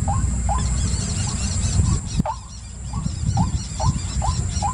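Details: White-breasted waterhen calling with short upward-hooked notes about twice a second, broken by a brief pause near the middle. Heavy low background rumble and a steady high whine accompany the calls.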